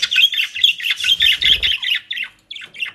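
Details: Pet budgerigars in South Holland, Netherlands, with dry leaves and grass from a bird shop; steady rapid warbling chatter of buzzy chirps and squawks, briefly pausing near the end.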